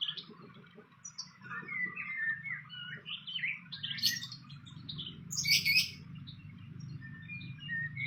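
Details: Fantail at a nest in the wild: a varied chatter of short whistled notes and chips, with louder harsh bursts in the middle, over a steady low rumble.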